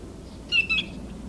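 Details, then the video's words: Stilt sandpiper, though identity uncertain and possibly a marbled godwit, in Delta on Friday 28 July: two brief, slightly rough high notes in quick succession over a low background hum. "Stilt sandpiper calling"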